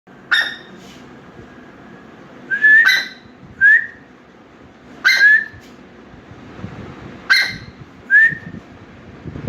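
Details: A black francolin calling in Kalabagh jungle forest during its March–May mating season, calling for a female amid fighting, repeats a harsh grating phrase ending in a rising whistle every two to three seconds over soft hiss.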